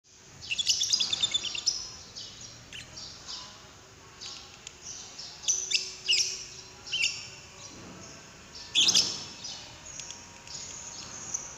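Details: Lovebird calls used as a lure to prompt another lovebird to sing: bursts of shrill, high chattering chirps, a dense run in the first two seconds, then scattered squeaky notes and a loud cluster near nine seconds.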